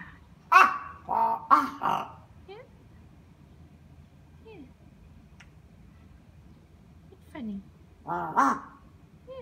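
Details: A crow in Japan, jungle or carrion crow, gives three quick, harsh 'kah' calls, then a few soft falling notes, and ends with a final pair of rough caws.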